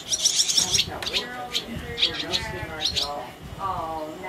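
Barn swallows give a quick burst of high, thin twittering chirps, then scattered sharp notes, while a person talks steadily underneath.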